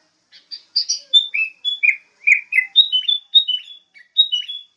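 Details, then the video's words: Sooty-headed bulbul song: bright, liquid chirps and short whistled notes, many sliding downward, delivered in quick bursts separated by brief pauses, with no other sounds. "SUARA BURUNG KUTILANG"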